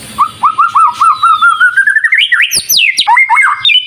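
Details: White-rumped shama singing a lure phrase meant to trigger replies: evenly repeated looping whistles climbing steadily in pitch, then sharp high descending slurs and a bright chattering finish.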